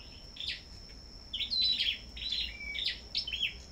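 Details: Sâu đầu đỏ singing against each other at a bird farm. Bursts of high chirps and buzzy warbles come in clusters with short gaps, and one thin whistled note appears midway. A steady electronic hum is also present.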